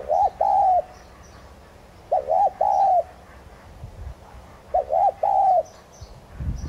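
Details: Thúc gù cooing of a tigrina spotted dove kept as a decoy to make other birds sing: three repeated phrases of a quick double note followed by a sustained coo, evenly spaced about two and a half seconds apart; faint thin chirps above.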